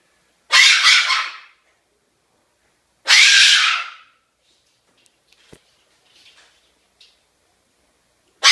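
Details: Amber, a cockatoo known for barking, gives harsh, raspy, bark-like blasts about a second long, spaced a few seconds apart, with faint small noises between them.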